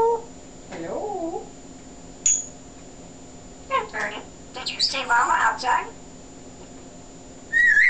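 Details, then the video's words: A chatty male African grey parrot during a talking session. A low wavering whistle-like voice is followed by bursts of rapid speech-like chatter, ending in a sustained high whistle. "MJ, the African Grey Parrot - *SUPER* Chatty Boy"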